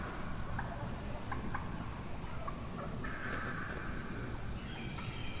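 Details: A large flock of wild turkey hens, heard one morning at the end of deer season before flying down, talks aggressively with scattered short yelps and clucks, then a longer raspy call, over a steady low rumble of wind or ground noise.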